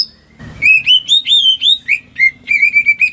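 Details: Home-kept greater green leafbird singing, used to coax silent birds into song: a lively run of about a dozen clear, slurred whistled notes, some rising and some falling, delivered rapidly after a brief soft rustle at the start.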